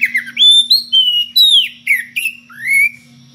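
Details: Oriental magpie-robin in unusual ngeplong variations, calling a rival: pure, loud whistles in distinct phrases, some held level, some curving down, ending with a rising sweep, over a faint low hum.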